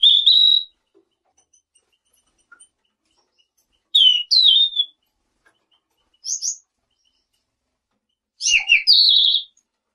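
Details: A Selendang biru bird gives four brief high, thin whistled phrases, some sliding downward, at irregular gaps of two to four seconds against a quiet background.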